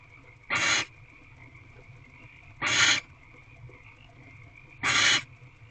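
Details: Female barn owl in an owl box on 29 March 2023 at 7:57 pm, looking through the door, possibly calling her mate or warning something off; three harsh, hissing screeches about a third of a second each, spaced roughly two seconds apart, over a steady hum.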